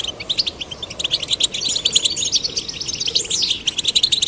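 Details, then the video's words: Rapid, bright twittering from goldfinch chicks, male and female, encouraged into song; a continuous stream of high chips and short trills, with a sweeping downward slur near the end. "Stimulating male and female goldfinch chicks to sing birds chirping"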